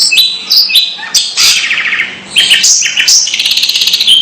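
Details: Long-tailed shrike making unusual sounds, harsh grating squawks, a buzzy rattle and a short whistled note, ending in a rapid clicking chatter.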